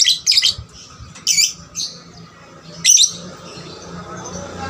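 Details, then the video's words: Lovebird lure singing to rouse other lovebirds, uttering scattered shrill chirps and squeaks in short bursts, separated by pauses filled with low room hum. "pancingan lovebird paud rajin bunyi... merangsang lovebird lain lebih gacor"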